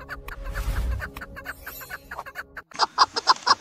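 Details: Female chukar partridge calling, used as a hunting lure during the hunting season: runs of short repeated clucking notes, then a louder, evenly spaced series of sharp chuk notes near the end over low background noise.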